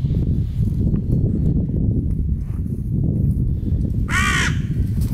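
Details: A single short, hoarse caw from a crow in a fight over peanuts at a territory border, heard late against steady strong wind.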